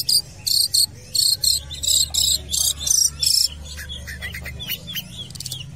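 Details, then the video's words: Long-tailed shrike singing at a football field: a rapid series of harsh, scratchy broadband bursts, about ten in the first three and a half seconds, then softer, scattered chattering notes over a low background hum. "BURUNG CENDET GACOR"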